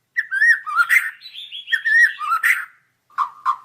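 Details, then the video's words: White-rumped shama song used as a training (masteran) recording: rich whistled phrases sliding between low and high notes, a pause, then two short low whistles near the end. "Masteran Suara Burung Murai Batu"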